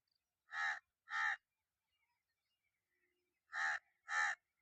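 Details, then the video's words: A crow gives two harsh, hoarse caws, pauses about two seconds, then gives two more, each caw short and grating. "Relax to the Soothing Sounds of Crows"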